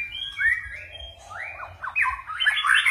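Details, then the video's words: White-rumped shama, a four-season bird, singing a varied forest-style song with changing phrases: rich whistled notes sliding up and down, ending in a louder burst of rapid warbled trills; faint low hum beneath. "chòe lửa hót giọng rừng ,đảo giọng cực phê | murai batu"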